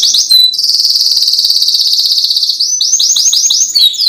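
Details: Canary singing to draw out reluctant singers: a long fast trembling roll held for two seconds, then quick repeated descending sweeps and a brief high flourish, loud and continuous.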